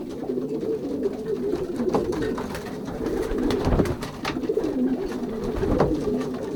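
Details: Dense indoor chorus of racing pigeons cooing during pairing in a loft of young birds, Poland, 2023 season: continuous low, throaty rolling coos from many birds overlapping, punctuated by light taps and fluttering.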